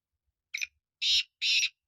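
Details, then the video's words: Black francolin giving harsh, grating, broadband notes: one short rasp, then two longer buzzy bursts about a third of a second each, set against silence. "Kala Teetar Awaz"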